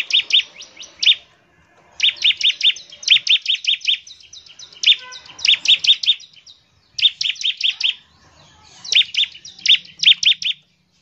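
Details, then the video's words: Bar-winged prinia singing energetically in a rapid-fire style meant to call other prinias into song: repeated bursts of piercing high chirps, each burst five or six notes, with clear pauses between them. "CIBLEK GACOR, NEMBAK NGEBREN UNTUK MEMANGGIL CIBLEK CEPAT BUNYI GACOR"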